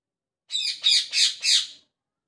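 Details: Parrot chirping in the morning: a rapid run of four rasping high chirps, each rising and falling, over about 1.3 seconds.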